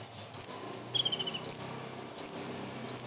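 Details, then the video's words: Common iora singing with kingfisher-imitation material, its typical kingfisher-like 'shots': three sharp, high, upslurred whistled notes, one followed by a quick stuttered rattling burst, over a quiet hiss. "KONIN ISTIMEWA ISIAN TENGKEK UDANG"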